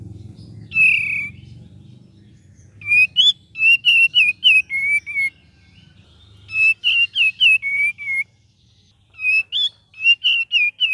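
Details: Cream-vented bulbul in a lively gacor and ngeriwik song: rapid bursts of short, clear whistled notes, about three a second, in repeated runs, over a low rumbling background.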